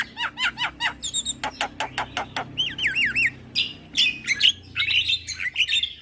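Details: Javan myna chattering song: rapid repeated rasping notes, a run of wavy whistles, then harsh, buzzy, squealing phrases.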